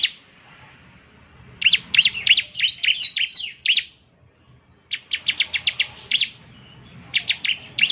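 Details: Bar-winged prinia song meant to trigger a caged bird, two bursts of fast, high, sharp chirps with a quiet gap between.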